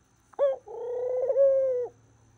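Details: Pet dove giving a good-morning coo: a brief clipped upward note, then a sustained, level, slightly wavering coo lasting about one and a quarter seconds in a quiet room.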